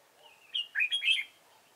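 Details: Decoy red-whiskered bulbul at a trapping site gives one quick, bright phrase: a thin whistle swelling into a rich, chattering, warbled flourish, loud and close.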